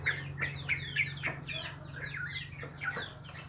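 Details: Sooty-headed bulbuls in morning song, a busy stream of short downward-sweeping chirps and liquid notes, several birds overlapping, above a constant low electrical-sounding hum.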